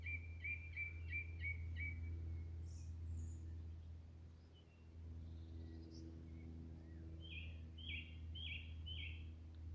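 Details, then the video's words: A song thrush at a regular nesting spot, singing to one side with a distant plane audible, sings a short, bright phrase about six times in quick succession, then other notes, then a higher phrase four times, over a steady low rumble; repetition separates it from blackbird. "The song thrush, you can always recognise song thrush song from blackbird because it repeats the same phrase"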